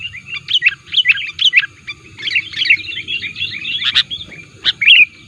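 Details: Sooty-headed bulbul lure call that presses rival birds: spaced sharp chips followed by a rapid, dense twitter, then a couple of louder single notes.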